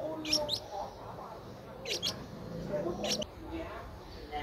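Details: A 10-day-old Streak-eared Bulbul nestling (eyes opened at 7 days) in Ubon Ratchathani, Thailand, 12 April, gives three short bursts of thin, high, squeaky chirps about every one to one and a half seconds over a low background murmur.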